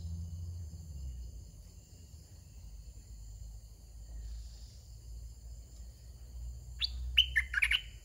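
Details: Caged decoy red-whiskered bulbul closing a quiet stretch with one brisk phrase of soft wild-style 'soe' song, a tight run of sharp whistled notes, with low rumbling in the background.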